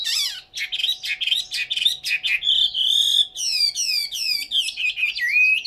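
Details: Caged Chinese hwamei in Hanoi, Vietnam, singing a rapid run of sharp chips and warbles, then a long bright whistle and a series of downslurred ringing notes, with a steady low electrical hum behind.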